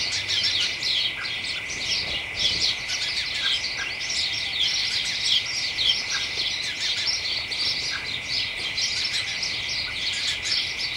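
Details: Excited chatter of house sparrows and companions hidden in a hedge on a December late afternoon: many short, sharp chirps repeated in quick clusters, a continuous chorus over a level high-pitched hum.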